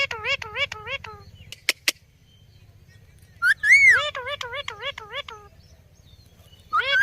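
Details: Talking Indian ringneck parrot, a rose-ringed parakeet, gives bursts of quick, nasal, wavering syllables in a fast run. After a gap, a loud rising-and-falling whistle leads into more chattering syllables.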